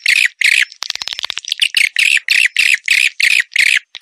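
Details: Swiftlet calling sound for luring swiftlets: harsh raspy squawks repeated about three times per second, broken once by a quick burst of clicking notes.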